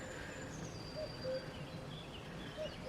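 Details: A distant cuckoo in Italy near Aigues Blanches, on an evening walk before dark, gives its two-note falling "cu-ckoo" twice, about a second and a half apart, over steady outdoor hiss and faint higher bird chirps.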